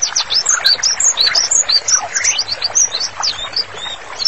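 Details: White-rumped shama song used as a training master: quick varied whistles, looping upslurs and downslurs and short warbled phrases packed closely together, loud and continuous across the clip.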